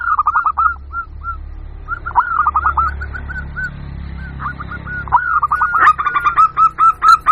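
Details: Zebra dove from local stock giving a lure call to draw wild birds: repeated runs of short rising coos, some rolled into rattles, growing louder toward the end.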